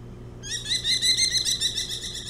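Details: Merlin buzzing a person near its nest on Hog Island, where a pair is nesting, 25 July 2017: a loud, rapid laughing chatter of sharp repeated notes, about eight per second, running steadily after a sudden start, with a faint low hum beneath.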